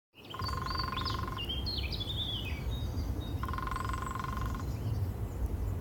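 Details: Lesser spotted woodpecker in spring at Bushy Park: two rapid, even drum rolls about a second long, separated by a pause of two seconds, with thin high whistles of other birds and low rumbling background noise.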